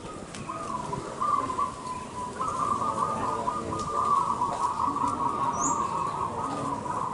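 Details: A local Zebra dove, a singing-contest bird, gives a soft, continuous run of rapid, trilling coos at a steady low pitch; a brief high chirp from another bird is heard near the end.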